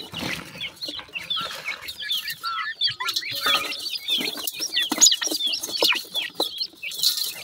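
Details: Pheasant chicks out with a Mikado pheasant mother at feeding time: continuous high, sharply downslurred peeps from several chicks, busy and overlapping throughout.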